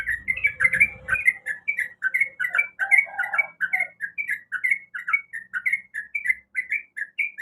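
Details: Yellow-vented bulbul, a female in breeding condition, calling the male with evenly spaced, bubbling two-part notes, slurred down then up. Brief low rumble at the start, then clean.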